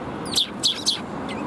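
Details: Eurasian tree sparrows, plumage fluffed, 1 February 2021: three short, high chirps in quick succession, then a faint fourth, with a low background drone.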